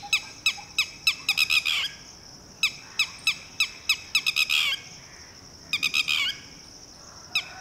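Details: Red-wattled Lapwing (titehri) alarm as a parent orders its newly hatched chick to hide: loud piercing notes, spaced at first, then quickening into rapid stuttering runs, repeated in three bouts over a faint high insect hum.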